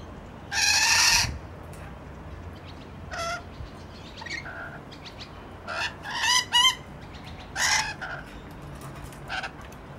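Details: Rainbow lorikeets peeking about in Lindfield: loud, harsh screeching bursts, the first long and raspy, then several shorter shrill squawks and chattering notes at irregular intervals, over steady background noise.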